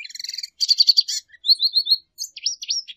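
A Lesser Goldfinch sings a quick, high jumble of twittering notes, buzzy trills and slurred rising and falling whistles, with short pauses between phrases.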